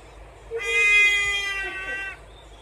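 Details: Trumpeter hornbill in Kruger National Park at Mjejane Private Game Reserve, South Africa, December 2022, giving its signature cat-like call: one drawn-out nasal wail of about one and a half seconds, rich in harmonics, slightly falling at the end.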